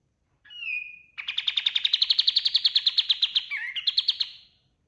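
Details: Loud kapas tembak white-eye song recorded as a master for training other birds: a brief clear whistle, then a rapid, evenly pulsed buzzy trill of about three seconds with a short twisting break near its end.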